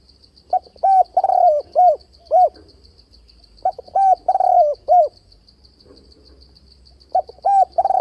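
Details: Spotted dove call used to lure wild doves into traps, with varied voice and continuous 'bo' notes: three phrases of about five low, hollow coos each, separated by pauses, over a steady high ticking pulse.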